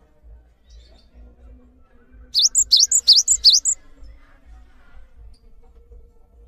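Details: Cinereous tit song recorded for training other birds: a brief burst of about five sharp, high, dipping-then-rising notes in quick succession, set in near silence with a faint low hum.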